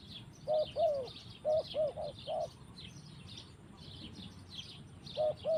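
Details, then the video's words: Spotted dove singing in a forest. A run of five or six low, hollow coos comes early, one drawn out with a falling end. A pause follows, then two more coos close the clip, while other birds chirp thinly high above throughout. "Mantap Tekukur in the forest"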